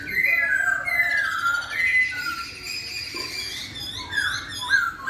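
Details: Laughingthrush giving a melodious song that other laughingthrushes reply to: overlapping clear slurred whistles, some falling and some rising, delivered steadily with faint high twitters mixed in.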